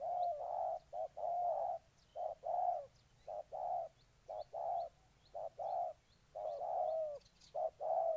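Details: Spotted dove from Ninh Thuận giving a steady run of low, hollow coos, short and longer notes alternating with brief gaps, about one a second; faint thin high chirps from another bird sound in the background.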